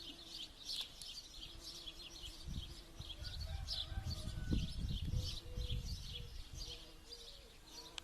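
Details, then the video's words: Birds singing at a pond near the village of Kokotovo, Kostroma Oblast: bright, high chirps and twitters repeated rapidly over a steady, low, croaking frog chorus. "Пение птиц"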